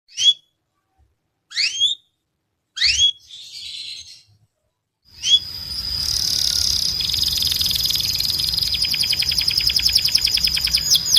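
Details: Canary training song meant to tutor young birds: a few sharp descending whistled sweeps at intervals, a short buzzy burst, then a dense rapid high trill with a steady high whistle held underneath.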